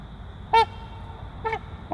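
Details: A breeding pair of trumpeter swans calls three times within two seconds: brief, brassy, horn-like honks with a slight downward bend, the first loudest, over low continuous background noise.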